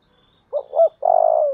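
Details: A single spotted dove coo phrase for training decoy doves: two short, rounded notes followed by a longer, rolling, slightly descending coo, clean and close.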